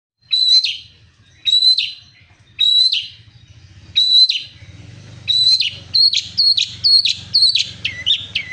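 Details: A long-tailed shrike in full song: sharp, high chattering phrases repeated about once a second, the later phrases quicker and more varied, over a faint low hum.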